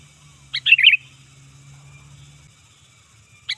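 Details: Sooty-headed bulbul call for luring birds and training caged birds, strong and loud: one short bubbly, warbling phrase of quick rising and falling notes, then the start of another near the end, over a faint low hum.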